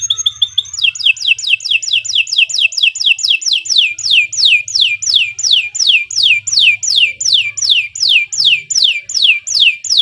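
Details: Canary in long, lively gacor song: after a few opening notes, a steady trill of loud, down-sweeping whistled notes repeated about three times a second, with a faint low hum beneath.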